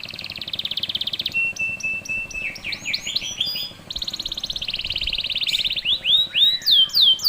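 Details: Canary 'gacor' training song: a steady buzzy trill, then a lower level whistle with upward-flicking notes, another long buzz, and loud curling rising whistles at the end.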